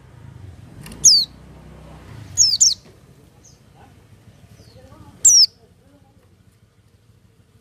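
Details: High, down-slurred chirps from an oriental white-eye come singly and in pairs every few seconds over low background rumble; the bird is said to sing without supplements.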